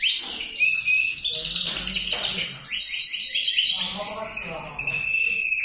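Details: Male canary singing a continuous, fast song of bright twittering trills and rolling, rattling phrases, with sustained high whistled notes near the end and a faint low hum underneath.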